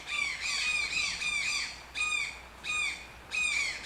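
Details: Toucan giving loud, harsh, harmonic-rich squawks, each note briefly arched and dropping, delivered in quick runs of three to four with short pauses between bursts, fairly steady rhythm, no other clear sounds.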